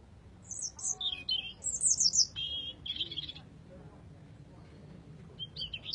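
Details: Singing robin, described as a red robin, delivers thin, high, rapidly changing warbled phrases with quick twittering trills, separated by brief pauses against a soft low background hum.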